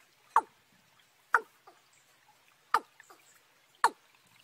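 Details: Watercock in March, a young bird with a field bird: four strong knocking notes spaced about a second apart, each sliding downward, with faint minor notes and light background hiss.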